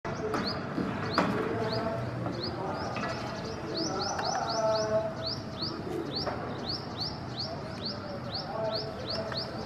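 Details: Indian silverbills in India give thin, high chirps several times a second in a steady twittering run, over a broad background hum with faint voices.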